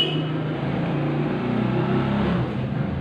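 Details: Loud continuous engine or motor hum with low droning tones, no animal sounds.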